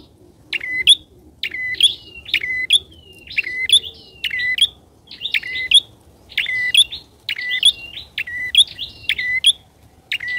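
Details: Loud lure calling of a bar-winged prinia: crisp high chirps, each a short steady whistle-like tone with a sharp click above, repeated roughly once a second against a quiet background.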